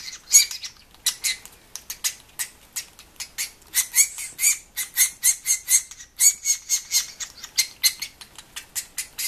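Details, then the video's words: Sapsucker nestlings (baby sapsuckers) give harsh, raspy begging calls, several bursts a second in a steady, insistent chorus. "Sapsucker dinner music"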